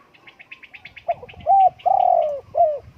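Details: Spotted dove coo phrase of a short note followed by three full, mellow coos, the middle one longest. A rapid run of high chirps from another bird comes first.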